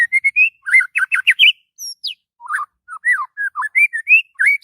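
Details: Morning song of a white-rumped shama kept as a songbird: varied quick whistled phrases, swooping up and down, with high thin notes mixed between richer mid-pitched slurs.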